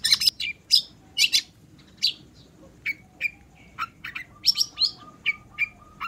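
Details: Hard-singing long-tailed shrike, used to draw out shy singers: loud rasping bursts and sharp chips, then a steady row of short, clear, low whistled notes repeated about three per second.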